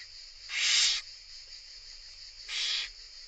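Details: Begging Barn owl nestlings under an Italian conservation monitoring project, being fed by their mother: two loud, rough hissing screeches about two seconds apart, the first longer and stronger, over constant faint hiss.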